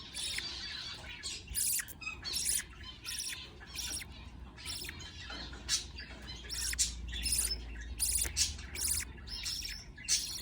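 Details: Young budgerigars during feeding by a parent: insistent rasping squeaks repeated in short bursts across ten seconds, some tight and clustered, with a soft low rumble in the background.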